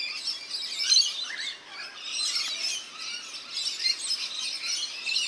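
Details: Several rainbow lorikeets bathing at a backyard birdbath in New South Wales, Australia, keep up a busy, shrill chatter of scratchy squeaks and screeches layered together without pause.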